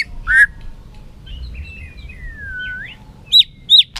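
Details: White-rumped shama in competitive singing, flicking its tail: a short bright chirp, then a long, smooth whistle that slides slowly downward and rises again, ending in two quick, ringing, looped notes over a quiet background.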